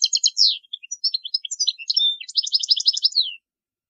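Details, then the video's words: European goldfinch (chardonneret) song for training fledglings, 2020: a continuous run of high, tinkling and twittering notes with several quick buzzy trills, ending in a descending slurred note, then silence. "تغريد طائر الحسون لتعليم الفراخ الصغار chardonneret"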